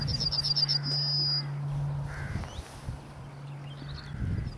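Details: Yellowhammer in song in Scotland: one high phrase of rapid repeated chips ending in a sustained thin note. A steady low drone and faint rustling then fill the remaining seconds.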